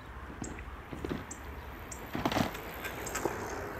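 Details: A hawfinch in Helmond, Netherlands, on 25 January 2013 gives thin, very high 'tzik' call ticks about a second apart, over a low rumble of distant traffic and a few soft knocking sounds.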